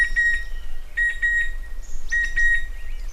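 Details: A Chestnut-winged cuckoo (Clamator coromandus) gives clear, flat, high whistles in quick pairs, each pair about a second apart, over a faint low rumble. Chestnut-winged cuckoo.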